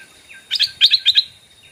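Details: Decoy Stripe-throated Bulbul calling to lure wild birds: a quick burst of loud, bright chirped notes in three paired clusters, with faint descending whistles before and after.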